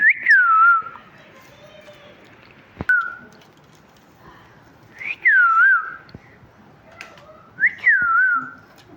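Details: Talking parrot chirping: four loud whistled notes, each sliding up, then dipping and wavering down, spaced about two to three seconds apart over a quiet room background.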